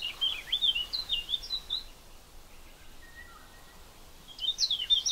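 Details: Eurasian blackcap singing: quick high warbled phrases of twisting notes for about two seconds, a pause with a faint distant whistle, then another warbling burst begins, over soft outdoor background noise.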